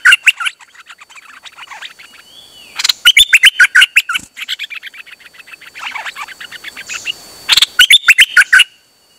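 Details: Chattering dok taeng bird, 8 September 2023, delivers almost continuous rapid notes: soft ticking runs broken by three loud bursts of sharp, repeated chirps, with one brief rising whistle partway through.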